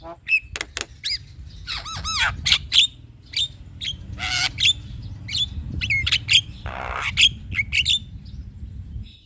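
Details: A male Javan myna sings to provoke a reluctant bird: scattered sharp clicks and short rising whistles, a wavering trill, harsh noisy rasps, over a low background hum.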